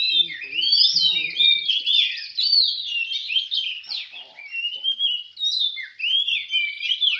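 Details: Songbird contest in Semende Perapau with an Oriental magpie-robin (kacer) in full, continuous song: dense, rapid whistled warbles, trills and swooping slurs with almost no gaps, plus a brief human voice near the start.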